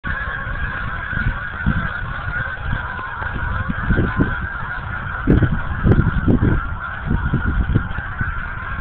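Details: Canada geese landing on Patriot Lake at Shelby Farms at dusk, recorded on a phone: repeated honks rise in bursts over a steady low rumble and broad background hiss, growing denser and louder toward the middle.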